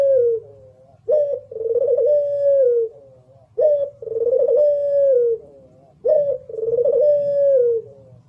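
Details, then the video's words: Barbary dove of the competition puter pelung kind repeats its song three times, roughly every two and a half seconds. Each phrase is a sharp short coo and then a long, throbbing, gently falling coo. Faint low hum underneath. "Masteran Puter lokal power rapet jernih 1 jam non top"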